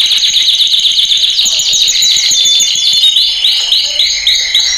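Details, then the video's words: Canary training song for male birds: fast, loud trills of repeated downswept notes, roughly four per second, shifting into rolling, bubbling tours at the end, bright and high-pitched throughout, with no other sounds. "Kanarya Eğitim Sesi Erkek / Kanarya Eğitim Ötüşü"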